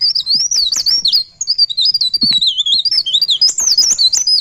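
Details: Pare pare bird singing in ngerol style: a continuous, rapid run of high, wavering whistled notes that twist up and down, with barely any pauses and only faint low background noise.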